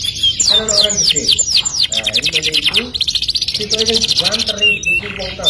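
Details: Canary singing in the Indonesian kenari gacor style, used as a lure recording with rolling trills and sharp high notes. Fast buzzy trills repeat in long runs between bright whistled phrases, over background music and people talking.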